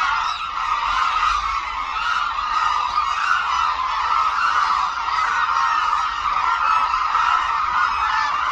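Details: Hooded cranes massing at Suncheon Bay Wetland, a major habitat for this migratory species, wheeling overhead in an air-show-like display. Many birds call at once in an unbroken mid-pitched honking chorus that stays even in loudness throughout.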